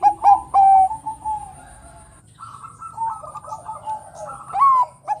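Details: Bangkok-type zebra dove singing to stir other doves into calling. Opens with clipped notes and a long coo, followed by softer overlapping cooing and a final rising note.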